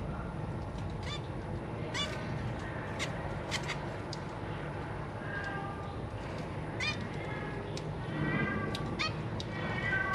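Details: Zebra finches, recorded on 3 March 2023 while parents feed newly hatched babies alongside three juveniles. Scattered nasal harmonic calls repeat irregularly, then a denser burst of stacked, buzzy notes near the end over a steady low hum.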